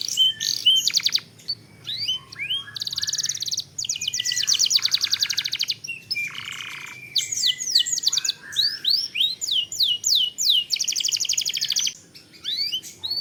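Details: Canary singing long rolling phrases, used as lure audio to stir other canaries into song: alternating whistled upslurs, dense mechanical trills and harsh buzzes in bursts separated by brief gaps.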